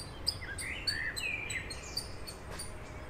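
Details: Eurasian coot family with seven chicks in Beverwijk, the Netherlands: thin, wavering whistled notes that rise and fall, with faint high ticking notes above, over steady low background noise.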